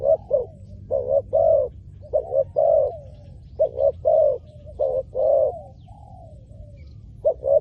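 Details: Spotted dove heard while luring wild doves, repeating husky cooing phrases of two or three quick notes, then a longer slurred note trailing downward, with a brief quiet spell before the pattern resumes.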